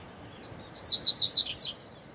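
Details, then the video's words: Double-collared seedeater in the bush delivering one short, high song phrase of about eight quick, clear, slightly descending chirped notes, with soft background hiss. "Coleiro fibra no mato (Corbatita"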